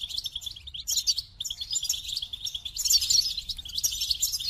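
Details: Rapid goldfinch song: a running stream of liquid, tinkling twitters. It starts with quick repeated notes and builds into denser, sparkling phrases by the end.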